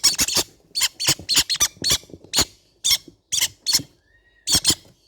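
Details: Baby green-cheeked conure parrots with clusters of rapid, harsh, high squeaks, thinning to spaced single and double notes, then a final closely spaced pair.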